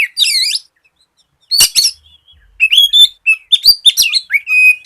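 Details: Oriental magpie-robin in vigorous song, meant to set other magpie-robins singing: a looping wavering whistle, then a quiet pause, then a rapid run of sharp notes, upslurs and a held whistle.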